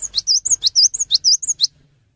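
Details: Loud, persistent song of a cinereous tit urging other tits to sing, with about five fast back-to-back phrases of a sharp falling note, an arched whistle and a piercing high note, then sudden quiet.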